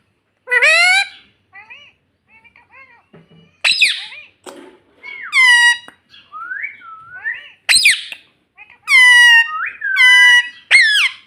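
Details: Pet parrot at home, talking and saying "mummy": a string of loud harmonic squawks and bent, whistled syllables in bursts, some rising and falling, with short quiet gaps between phrases indoors.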